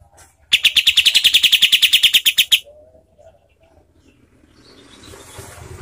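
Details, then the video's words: Cotton pygmy goose, used as a rough, fast training call for contest birds: a fast, harsh, high chatter of about twenty clipped notes in two seconds, followed by faint low background noise. "SUARA KAPAS TEMBAK"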